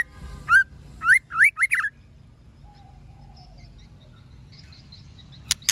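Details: Female white-rumped shama calling to provoke males into song: a single rising whistle, then a rapid burst of three curving whistled notes, followed by quiet with faint distant chirps and a sharp click at the end.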